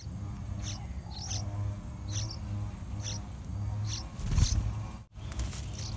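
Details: Yellow-vented Bulbul at its nest, where parents bring wild fruit and dragonflies to two fully grown chicks nearly ready to fledge, gives short, high chirps about every three-quarters of a second over low wind and handling rumble.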